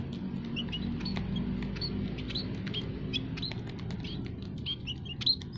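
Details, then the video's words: Aviary munias of several kinds, white-headed, scaly-breasted and Javan, used as a lure call for trapping wild birds; many short high tweets overlap continuously above a low rumbling background. "burung emprit kaji,emprit peking,emprit jawa full masteran kicau pikat paling ampuh"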